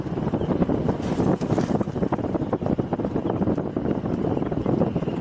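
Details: Loud gusting wind buffets the microphone over a rumbling vehicle, and no animal voices can be picked out.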